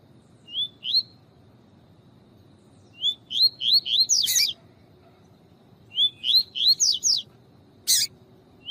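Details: Double-collared seedeater singing tui tui alongside a female chirping to stir the male: upslurred whistled notes in two bursts of five or six, separated by a short gap, with a loud click and faint hiss.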